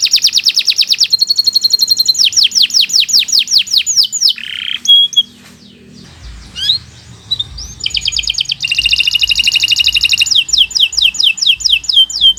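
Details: Canary's extended training song: fast repeated trills and clipped notes, a buzzy slur, a near-silent gap with faint chirps, then renewed rolling trills and falling whistles.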